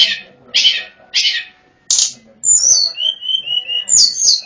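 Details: Lure recording of a Sunda robin for attracting wild birds: three rough, rasping bursts at the start, then a high whistled phrase stepping down through several clear level notes.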